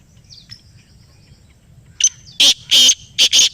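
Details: Black francolin, very close, answering a played call: thin background chirps, then a sharp lead-in note and four powerful, harsh, grating bursts in an uneven rhythm.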